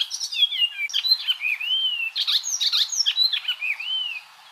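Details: Icterine warbler song used to tutor cage birds such as the white-rumped shama: a varied medley of sliding, arched whistles mixed with scratchy, chattering bursts, delivered continuously with little pause.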